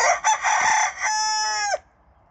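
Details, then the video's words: A Silver Spangled Hamburg rooster gives a single crow, a harsh rising start that levels into a long strained note before breaking off abruptly. "Silver spangled hamburg rooster crowing"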